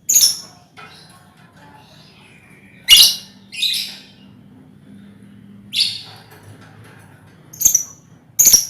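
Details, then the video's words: Lovebirds calling as a colony, a recording meant to trigger ngekek trilling; scattered piercing chirps and harsher squeaky notes every second or two, with a low steady hum behind. "Suara Lovebird untulan koloni cocok buat pancingan ngekek"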